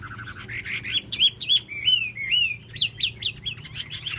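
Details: Chinese hwamei in full song, a run of rapid clear whistles, then looping rising-and-falling phrases with quick sweeping notes that pitch up and down, ending in a brisk burst of slurred chirps.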